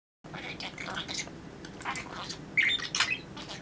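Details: A pet budgerigar chatters inside an empty, waterless pool in quick, irregular bursts of scratchy warbles and squeaks, with a brief clear whistle near the end, in a small, echoing space.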